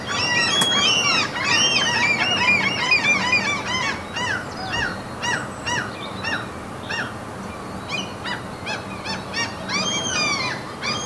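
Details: A flock of gulls at a Norwegian fjord among mountains calls over one another, with loud yelping and mewing cries rising and falling, many overlapping at about two per second.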